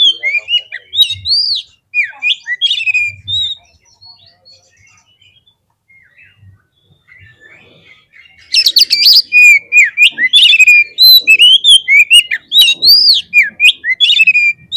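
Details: Lure song of the Oriental magpie-robin (kacer) for provoking fighting birds: rapid varied whistles and chips, a quieter stretch of soft twitters, then an intense, dense outburst of loud slurred and buzzy notes.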